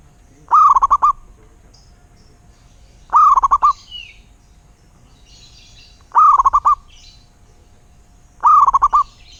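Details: Wild local zebra dove repeating its cooing song: four short phrases of rapid, bubbling staccato notes, each about half a second long, spaced roughly every three seconds over a quiet background.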